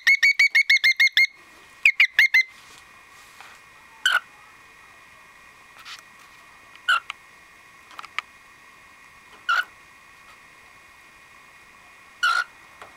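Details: A pet cockatiel on top of its cage, recorded April 2010, gets excited and then suddenly calms down: a fast run of bright, chirpy "kyo-kyo" whistles falls to single short calls every few seconds, over a steady electrical hum.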